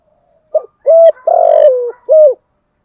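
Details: Spotted dove, 'thổ sấm' style, played to stimulate decoys: a brief clipped note, a level hoot, a long pulsing coo that drops in pitch, and a last rounded hoot, cleanly recorded.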